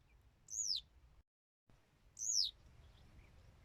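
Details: Western yellow wagtail with two loud, thin, descending slurred notes about one and a half seconds apart, clear over a soft low hum.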